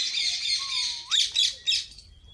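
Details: Parrot giving a continuous hissing, buzzy screech, a thin rising whistle, then three loud harsh squawks in quick succession fading to a faint high whistle.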